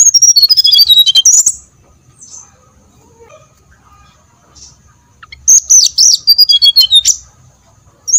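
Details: Brown-chested jungle flycatcher singing as a lure to trigger song in others: two bursts of quick, sweet whistles tumbling down the scale, separated by a few seconds of near silence with soft faint notes.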